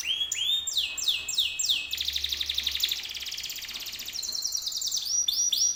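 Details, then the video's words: Canary song used to entice other canaries to reply: a series of falling sweeps, a long rapid buzzy trill, then more loud descending sweeps. "PANCINGAN BURUNG KENARI 100% IKUT NYAUT"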